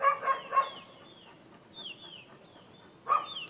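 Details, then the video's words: An unidentified bird gives thin, downslurred whistles repeated at an uneven pace, broken by three loud, harsh bursts, two at the start and one near the end. "What is the bird noise"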